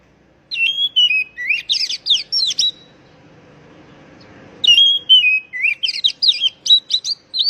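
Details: Calling of an Oriental magpie-robin, played to stir stressed young birds gone silent: two loud bursts, each opening with a falling whistle and running into fast, sharp, twittering notes, split by a short pause.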